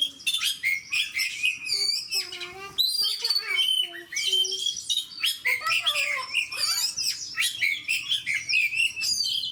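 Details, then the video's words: Gacor fighter oriental magpie-robin (kacer) song, said to make a neighbouring kacer puff up: varied, fast phrases of high whistles, sharp chips and rising slurs, delivered in rapid bursts. "AWAS BURUNG KACERMU MBAGONG DENGAR SUARA KACER GACOR DAN FIGHTER LAIN DI SEBELAH KACER INI"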